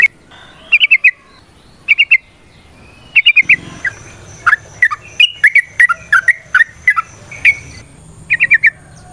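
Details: Sooty-headed bulbul (trucukan) in ngecuplik variation song meant to prompt other birds: short three-note clusters separated by pauses, then denser falling whistles with ticking accents and a faint low rumble.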